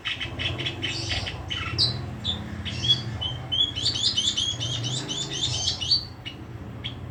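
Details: Long-tailed shrike song that begins as soft, muffled chirps, then breaks into a fast, scratchy chatter of high notes in the second half before trailing off, over steady low background noise.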